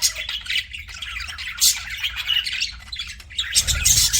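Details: Several pet budgies chirp together in a dense, scratchy warble of quick high twitters and squawks, swelling louder near the end, with a faint low rumble underneath.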